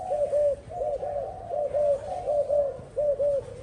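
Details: Spotted dove kept by a bird keeper, giving soft low cooing notes, each a short arched coo, in paired and grouped phrases repeating about every half second, with a faint steady hiss behind.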